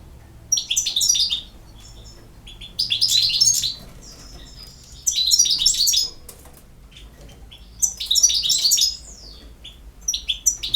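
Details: European goldfinch delivering four separate bursts of fast, tinkling, buzzy twitters, each about a second long, spaced by roughly two-second pauses.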